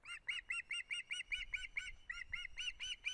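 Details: Continuous rapid chirping from an osprey at a nest in Estonia on 1 September 2016, during odd head movements: about fifteen evenly spaced whistled notes in three seconds, each slightly arched in pitch.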